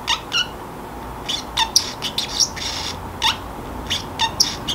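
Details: A free-flying household Pacific parrotlet begins its drowsy self-talk in a quiet room, giving rapid squawky chirps and grating squeaks in irregular clusters with short gaps between them. A faint background hum runs throughout.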